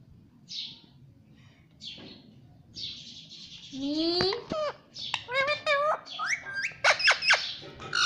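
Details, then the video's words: Pet parrot repeating "mummy papa" indoors: faint hissy sounds, then a string of voiced, rising word-like syllables and bright chirpy notes growing busier toward the end. "Mummy Papa Bolne Wala Tota || Talking Parrot || Pattu Parrot Talking"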